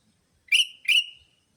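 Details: Two quick, rasping chirps from a sooty-headed bulbul lure track used to attract bulbuls, the second stretching into a long, thin, level whistle-like tail.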